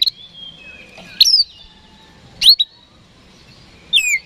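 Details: Oriental magpie-robin singing a daily lure song meant to provoke rival birds into quick response: long level whistles near four kilohertz broken by three loud sharp slurred bursts spaced about one and a quarter seconds apart.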